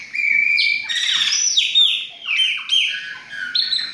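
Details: Chopi blackbird song from several of these birds: loud, clear whistled notes, each sliding down in pitch, one after another with no pauses. No other sounds stand out.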